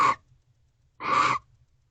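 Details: Barn owls in a confrontation at Owl Box C, a nest box, around 12:55 am on 12/13/23, their second face-off of the evening: two harsh, hissing screeches, the first very short and the second about half a second long, separated by a quiet gap.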